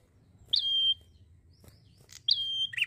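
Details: Prenjak, a prinia, giving 'gacor santai' song: two phrases of a sharp onset and a clear flat whistle, the second ending in a rough buzzy note, with soft background hum.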